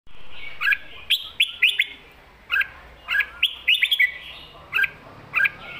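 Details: Red-whiskered bulbul singing a lively 'mae bot sap krajai' style song: short bright warbled phrases between one and four kilohertz, sharp clicks and slurred notes in scattered bursts with brief pauses.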